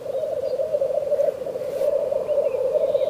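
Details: Black grouse in a frosty landscape, frost crystals on the grass tops; a steady, low bubbling coo rolls on without a break for over three seconds, with faint thin chirps of other birds high above.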